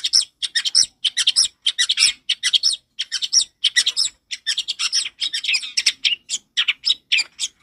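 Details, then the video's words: Long-tailed shrike singing loud and clear as a training model for young birds: dense, continuous scratchy chatter of short harsh notes in quick irregular clusters, with no pause longer than a moment. "suara cendet ini keras dan jernih"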